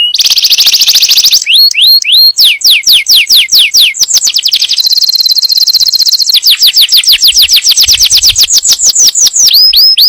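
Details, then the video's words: Yellow canary in full song, used to prepare the female for breeding and teach the young: long, varied high trills, rapid downslurred whistles and buzzy rolls continuing without pause for ten seconds. "تغريد كناري أصفر لتجهيز الأنثى وتعليم الفراخ"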